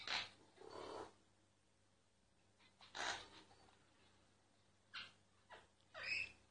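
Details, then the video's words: Myna singing quietly, filmed without disturbing it: sparse harsh bursts separated by pauses of one to two seconds, with a faint squeak in the last burst and a low hum throughout. "Mynah singing"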